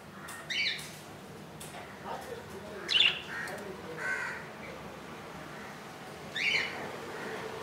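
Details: Budgerigar nestling, hatched at 2 AM on 15 July 2018 and seen on its second day in the nest; scattered high, raspy peeps at irregular intervals, some faint and some louder, with light background noise.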